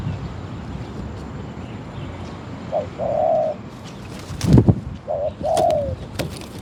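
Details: Spotted dove at a decoy trap, giving two short phrases of soft hooting coos a couple of seconds apart, over a low rumbling background with a brief clattering noise between them.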